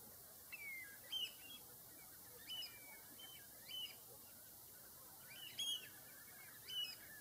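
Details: Common redshank giving short, high, piping notes in a series of separate bursts about every second or so, with a steady high hiss running underneath.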